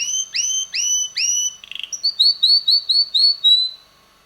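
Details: Young male red canary singing: five rich descending-rising whistles in a steady row, a brief rattle, then a series of bright sliding notes repeated about four per second, fading to quiet.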